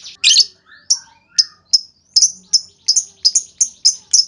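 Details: Lovebird 'ngetik' ticking lure, used to make other lovebirds respond with long chatter: a harsh opening burst, then crisp, high chips speeding up to a brisk, regular series.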